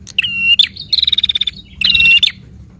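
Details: Prinia delivering quick, lively song intended to rouse a captive prinia. A sustained ringing note is followed by a rapid pulsed buzz of about a dozen beats, then another ringing buzzy phrase, over faint hum.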